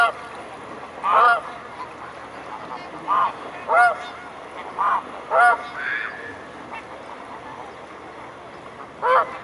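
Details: Mute swans gathered in a large group at Blaues Wunder, 22 May 2016 at 19:25: short nasal honking calls, about seven in nine seconds at uneven intervals, over a steady rushing background hiss.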